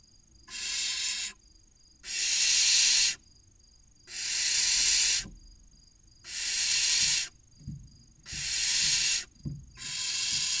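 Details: Barn owl chicks, six aged 16 to 29 days, inside a nest box at Cabañeros National Park, Spain, waiting to be fed: six regular loud hissing screeches each about a second long, with occasional soft thumps.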